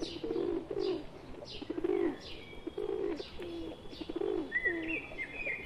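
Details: Repeated hoarse, low cooing from pigeons, a pet bird gathered with wild ones, arriving in regular pulses about every second, with faint chirps and a whistled note near the end.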